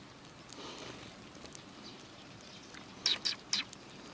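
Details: Sparrows arriving for food at a Tenmangu shrine's front approach on 12 April 2020 give three short, high chirps close together near the end, over quiet outdoor background noise.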